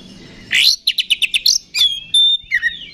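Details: Oriental magpie-robin song used to provoke fighting and raise emotion in other magpie-robins: a rising sweep, then a run of rapid repeated high chirps, a long thin whistle and a falling slur.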